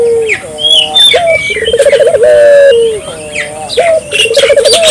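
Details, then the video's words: Barbary dove calling energetically, played to stir local doves into calling: low hollow coos with a rolling, pulsed middle section and drawn-out, falling endings, repeated several times, with higher chirps and whistles from other birds. "suara burung puter gacor,merangsang burung puter lokal ikut gacor"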